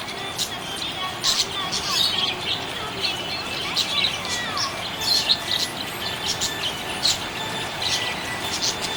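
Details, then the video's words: Cheerful budgie chatter: many sharp, high chirps and scratchy warbled notes in irregular clusters, with faint sliding whistles and continuous hiss behind. "Happy budgie chirping sound"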